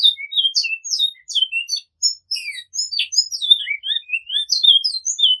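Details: Flute-style song of a great-billed seed-finch, with repetition: brisk sequence of high clear whistles, upslurred and downslurred notes alternating in a lively, unbroken phrase.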